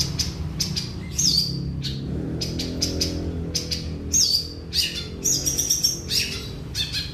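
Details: Long-tailed shrike singing in the field: a varied mix of short scratchy chips, clear whistled slurs that drop in pitch, and a brief level whistle, delivered irregularly over faint low rumble.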